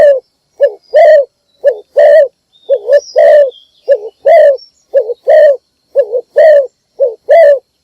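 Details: Decoy spotted dove calling in the morning to attract wild doves. Low coo pairs repeat steadily for the whole stretch, each a short wavering note then a longer, rounder coo, with a thin high whistle in the background.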